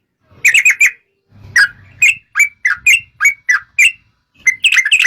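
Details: Yellow-vented bulbul in full song, played as a lure to coax other bulbuls into singing: short, liquid, bubbling phrases of rising and falling whistled notes, broken by brief pauses and faint low rustling.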